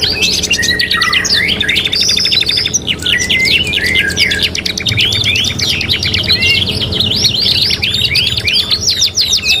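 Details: Canary training song ('kenari gacor', 3-in-1 master): shrill whistled notes, a stuttering rattle, then long runs of quick chirps and rising slurs, delivered without a break over a soft low hum.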